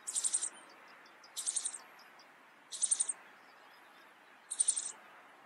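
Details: Rock bunting song: short, very high, thin buzzy phrases of rapid repeated notes, each about half a second long, given roughly every one and a half seconds over a quiet background.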